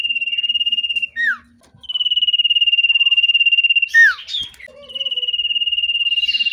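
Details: Common iora in breeding condition, agitated on meeting a female, giving long, steady whistled notes with fast tremolo, each about a second or more, broken by short dropping slurs and a brief buzzy note.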